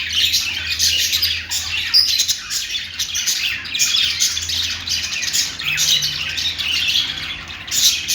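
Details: Budgerigar, an Australian parrot, singing: a continuous, dense warble of high scratchy chirps, squawks and trills, rising and falling in loudness without pause, with a faint low hum beneath.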